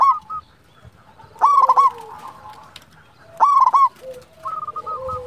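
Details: Local perkutut, the zebra dove, calling to lure other doves and raise their mating urge: two coo phrases about two seconds apart, each a rapid stutter followed by drawn-out, falling notes.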